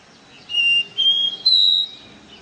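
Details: Caboclinho seedeater whistling its 'do ré mi' song: three pure notes climbing in pitch one after another, clear and loud against quiet surroundings.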